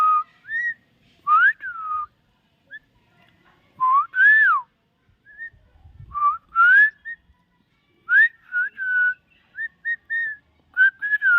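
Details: Common myna, called a talking bird, delivering a long series of varied whistles: arched, rising and falling slurs in quick clusters separated by brief gaps, clean and tonal throughout.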